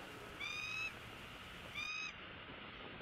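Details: Bald eagle chasing a raptor from its territory in Southwest Florida, filmed by nest camera at 11:34 on 01-04-16: two high, thin, slightly rising piping notes about a second apart over a low hiss.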